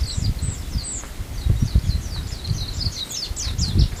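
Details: Japanese white-eye on Amami in February, giving quick high thin chirps and twittering notes in a steady scatter, with low rustling and thumping handling noise underneath.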